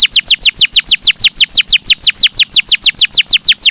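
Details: Canary delivering a steady, fast series of identical descending whistled notes, about five per second throughout.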